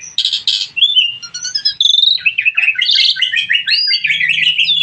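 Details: Energetic starling song opening with buzzy rattles, then clear whistles and a long stream of rapid chattering, twittering notes mixed with slurred calls.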